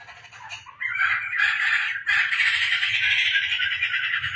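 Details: Laughingthrush, tame and in full voice at home, starting with quieter rising notes and then switching to a loud, continuous grating chatter, briefly interrupted near the middle, with a faint low hum beneath.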